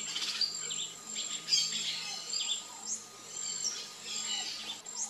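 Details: Encontro, or variable oriole (Icterus pyrrhopterus), in continuous song: clustered high twittering notes, several rapid rising sweeps and faint falling whistles, volume pulsing irregularly against a constant high tone.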